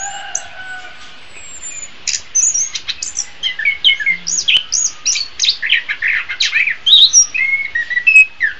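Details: Master song of an orange-headed thrush for training songbirds. After a quiet start with a few thin whistles, a dense run of varied chirps, slurred whistles and sharp trills follows without pause.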